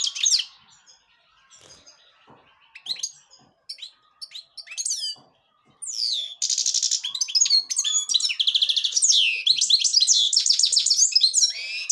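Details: Black-headed European goldfinch of the Devonshire-type style, singing high twittering phrases with sharp rising notes, quiet gaps in the first half, then a dense run of fast trills and buzzy chatter.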